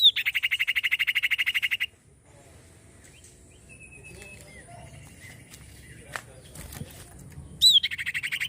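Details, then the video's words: Common iora giving a loud, buzzy, rapidly pulsed trill with a high whistled start. A quiet stretch of faint scattered chirps follows before the trill returns at the end. "cipoh gacor"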